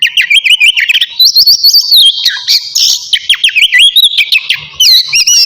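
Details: Navy-type oriental magpie-robin singing busily before its bath: dense, continuous high warbling of quick zigzag whistles and chirps, with a few longer sustained whistled phrases in the middle.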